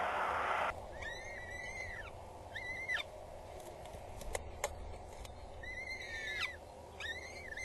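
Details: Two peregrine falcon chicks at a nest on Axel Tower, Netherlands, 19 April 2022 around 12:43, begging as the mother arrives with food, male present; repeated whining, arched squeals in bursts, with clicks and steady background noise.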